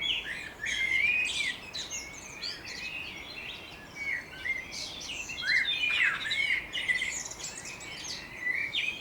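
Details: Birds singing and chirping in the morning on the edge of Budapest, Hungary: several birds overlap in a busy chorus of bright whistled notes, quick chirps and sweeping trills, louder and more varied, with brief pauses between bursts.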